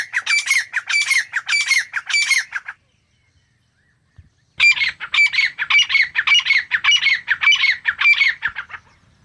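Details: A grey francolin, wild game bird found in South Asia, repeats scratchy, metallic notes at a brisk steady pace, then falls silent for about two seconds before another long series.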